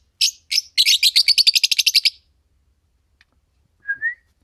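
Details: Green Fischer's lovebird pair singing: two separate high chirps, then a rapid run of about a dozen sharp chirps, silence, and a short rising whistled note at the end.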